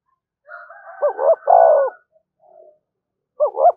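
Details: Spotted dove calling to provoke other doves: two short rising coos and a longer, fuller falling coo. A thin steady whistled tone and faint murmuring come beforehand, then another pair of short coos starts at the end.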